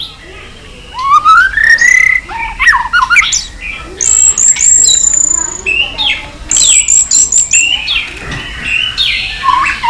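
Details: White-rumped shama singing in a many-voiced fighting style: a long rising whistle, a sustained very high thin note and scattered sharp chips, with some rustling and faint voices in the background.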